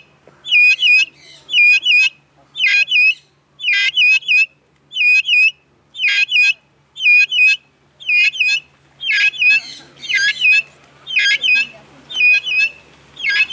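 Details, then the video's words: Vulturine guineafowl (Acryllium vulturinum) at Vogelpark Walsrode, Germany, 2014, gives harsh, high, metallic chattering bursts, each a quick cluster of notes, repeated about once a second with short gaps; finding: Vulturine guineafowl. "Vulturine Guineafowl sings"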